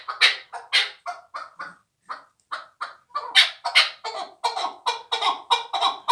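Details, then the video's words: Young fighting chukar partridge from last year's hatch. Its clucking notes start spaced and uneven, pause briefly, then build into a loud, steady run of rasping chuck calls. "Кабки Кучим"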